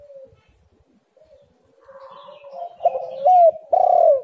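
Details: Spotted dove lure call for birds slow to sing: quiet, flat cooing at first, growing into louder wavering coos that end in two strong, drawn notes near the close.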